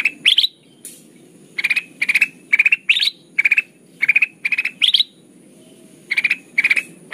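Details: Lively, chattering lure song of a ruby-throated bulbul (kutilang emas) used for trapping: clusters of sharp rattled notes, some rising, delivered in quick groups with short gaps, over a quiet low background hum.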